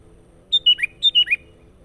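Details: Sooty-headed bulbul lure song for trapping wild birds: two matching phrases of three clear whistled notes, each phrase stepping downward, delivered in quick succession over a faint steady hum.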